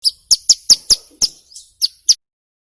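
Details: Hill prinia, an actively singing bird, recorded as a lure to make other birds sing quickly: a short series of eight sharp, high chirps about a quarter second apart, with a brief softer note near the end.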